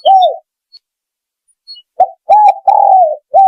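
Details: Clear spotted dove coos for luring birds: an arched coo, a pause with a few faint distant chirps, then a run of short and long mellow coos in quick succession.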